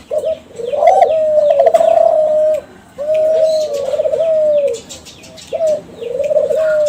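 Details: Lure song of captive Kelantan spotted doves bred from champion contest birds. Mellow, level coos, some with a rolling flutter, come in about four phrases, with light high twittering of small birds in the background.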